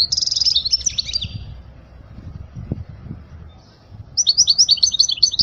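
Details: Goldfinch singing for young chicks to learn: a buzzy, twittering phrase, a quiet pause of nearly three seconds with faint low knocks, then a fresh burst of rapid liquid chirps.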